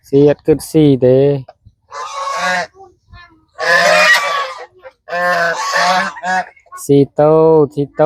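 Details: Hungry farm geese gathering at feeding time on a small village family farm: loud, nasal, harmonic honks in quick bursts at the start and end, with a man talking between them.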